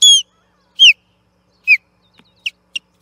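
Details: Osprey at the Charlo nest platform, 8 June 2021, fighting an intruder over the nest: three loud, whistled, downslurred chirps with ringing overtones, then four short, quieter clipped notes in quick succession.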